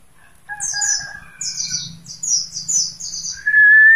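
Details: Pet mountain white-eye from Mount Slamet delivering quick runs of high descending chirps over a lower steady whistled tone, ending in a loud rising whistle, with a faint low hum throughout.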